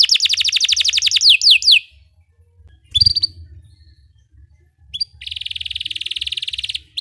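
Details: Belgian canary singing, used to train other canaries to sing: fast rapid trills of descending sweeps, a short pause, a brief note, then a long buzzy steady trill.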